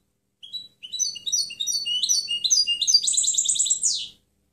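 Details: Clean European goldfinch song used for training other birds: a flowing run of rising, whistled twitters gathering pace into a bright, buzzy trill of closely repeated notes before stopping cleanly.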